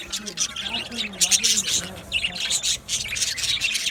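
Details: Budgerigars chirping in an aviary: busy overlapping high twitters and squawky notes from many birds, coming in quick bursts over a low hum.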